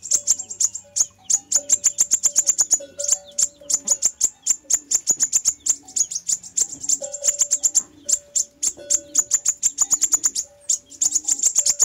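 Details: Fire-breasted sunbird played to lure wild birds, giving a long, almost continuous stream of high, thin ticking notes, fast and unbroken for most of twelve seconds, above a low steady hum.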